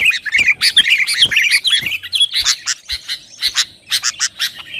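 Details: Sooty-headed bulbul chattering song, gacor style to rouse rivals: fast twittering warbles at first, then evenly spaced sharp chips and short bursts.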